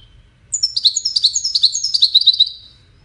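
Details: Singing European goldfinch, a cage bird, giving a fast liquid twittering phrase of about two seconds, high tinkling notes tumbling downward in quick succession over near silence.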